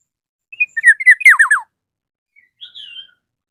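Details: A Black-naped oriole in strong voice calls a rival. It gives a quick series of downward-slurred notes, then a faint higher whistle after a short pause.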